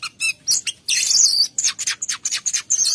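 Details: Kacer, the oriental magpie-robin, singing in lively 'gacor ngerol' style: dense, buzzy high chatters and sharp chirps, some notes held for nearly half a second, delivered in quick repeated bursts.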